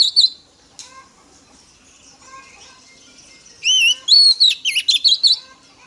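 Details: Female Oriental magpie-robin singing to stir up males, in a wild-type voice: faint scattered notes, then a loud burst of high, clear whistled phrases with rising and falling slurs near the end.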